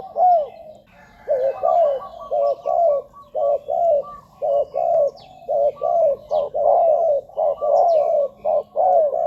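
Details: Spotted dove cooing used to lure wild doves to decoys on the ground, branches or a trap-cage; a long, rapid series of low hollow coos, nearly one per half second, some downward-curving, with a faint continuous hum.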